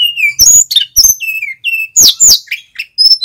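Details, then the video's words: Loud song of a male mountain flycatcher, meant to teach young wild-caught flycatchers to sing: short falling whistles alternate with sharp chirps and emphatic upslurred notes, repeated rapidly. "Burung SIKATAN GUNUNG Jantan FULL GACOR ‼️ Suara pancingan"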